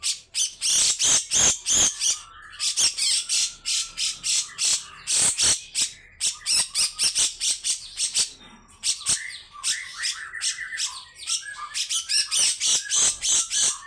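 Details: Grey-cheeked bulbul in full, energetic song, loud rough phrases meant to rouse other birds; dense bursts of harsh, buzzy notes and chattering trills repeated rapidly, about three per second, with brief whistled fragments between.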